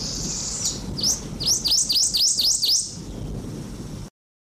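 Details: Goldfinch song: a thin high whistle, then a quick run of about six sharp, high-pitched swooping notes in just over a second, over steady background hiss.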